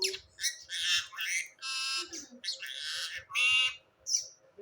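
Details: Indian ringneck parakeet kept as a talking bird and known for reciting Bismillah mimics words in a raspy, nasal, strained voice. It gives several short phrases with brief gaps and a final high squeak.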